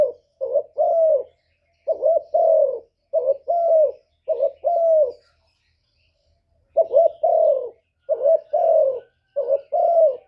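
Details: Spotted dove used as a decoy, giving lure coos to stir up wild rivals. Clusters of soft, low double coos, a short lead note and a longer drawn note, with a long gap midway.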